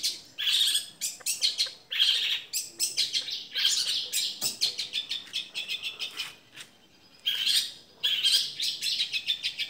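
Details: Young Long-tailed Shrike from Madura, with a dominant voice and fast, tight delivery: dense bursts of rapid high chirps and scratchy twitters, with brief pauses between phrases.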